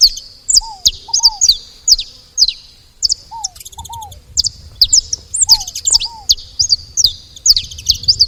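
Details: Around a feeder, saffron finches utter irregular volleys of shrill, steeply dropping chips, with lower arched double notes and a faint rattling series in the background.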